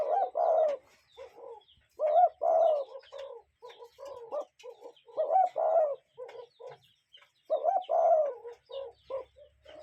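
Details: Real cuckoo in natural surroundings: groups of low hooting notes, a longer main note trailed by shorter echoing ones, repeated roughly every two seconds, faint chirps behind.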